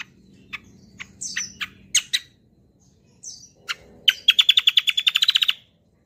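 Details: Kecial kombo bird in full gacor song, used as a lure for teaching birds: spaced sharp chips and squeaky notes, then a fast run of about fifteen rolling trilled notes near the end.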